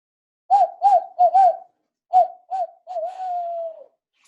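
Barred Owl giving its rhythmic 'who cooks for you' hooting: four quick mellow hoots, a pause, two more, then a long drawn-out note that slides downward.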